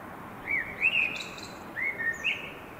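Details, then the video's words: Common blackbird singing, filmed in 2021. Two short fluted, whistled phrases at mid pitch, the second slightly rising, sound over a steady background hiss. "Canto del merlo"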